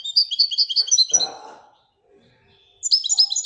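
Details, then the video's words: Moroccan goldfinch performing Wedania song: rapid alternating high and low chirps in a jerky rhythm, a short rustling noise, silence, then another brisk burst of high twittering. "الحسون المراكشي لغة الويدانية"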